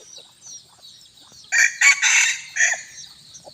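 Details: Bantam chicken about a year old, let out to eat grass on a hot evening, crowing once: a loud burst of harsh, broken syllables lasting about a second, with a quiet background before and after.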